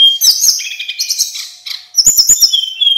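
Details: Energetic singing from a local male Hill Blue Flycatcher, used as master song for other birds: dense high trilled whistling, a brief pause, then a fast run of sharp ticks ending in a long falling whistle.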